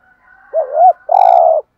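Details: A decoy spotted dove gives a luring coo: a short undulating double note, a brief pause, then a sustained rough coo about half a second long. There are no other clear sounds.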